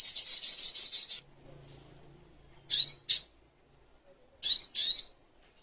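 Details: Sogok ontong, or crimson sunbird, in a master track for songbird training: over a second of very high rapid trilling, then two pairs of short sharp descending chirps.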